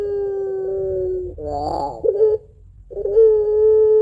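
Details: Barbary dove of the puter pelung type, kept at home, giving its long crying song of two notes. Long steady hum-like tone, a warbling break, silence, then another sustained mournful note.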